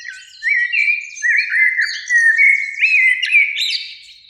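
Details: Eurasian blackbird singing in a springtime beech tree by a lake at evening, one of two birds singing: fluted, warbling phrases sliding around the low whistle range, with thinner, higher twittering flourishes at the end of each phrase.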